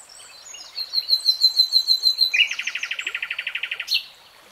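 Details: A common nightingale sings a high thin whistle with soft accompanying notes, then bursts into a fast, loud run of repeated chopped notes, ending on a sharp upward flick.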